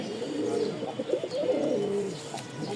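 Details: A domestic pigeon at a pigeon farm, from a pair said to be in full mood, gives low, throaty rolling coos in quick succession, the cooing of a bird in breeding condition.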